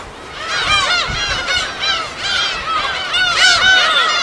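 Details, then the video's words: Field recording of gulls at their habitat on an uninhabited West Sea island: a steady crowd of nasal, arcing squeals from many birds, growing slightly louder toward the end. "파도소리와 갈매기소리"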